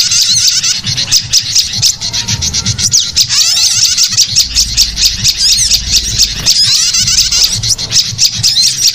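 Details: Prinia calls played as a bird lure: high, fast, scratchy chirping in overlapping bursts, nearly unbroken for the whole stretch, with a low droning hum beneath.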